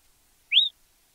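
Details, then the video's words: A Yellow-browed Tyrant, a common bird of Argentina, gives one thin, high, upslurred note that sweeps up and then levels off, lasting a fifth of a second against a quiet background. "Suiriri amarillo"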